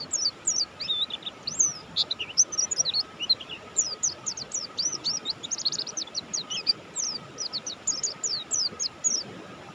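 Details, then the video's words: Buxtoni mountain white-eye singing nonstop: a long, rambling stream of very high chirps, slurs and quick twittering bursts, irregular in rhythm, with a steady low electrical-sounding hum behind. "suara burung pleci Buxtoni gacor"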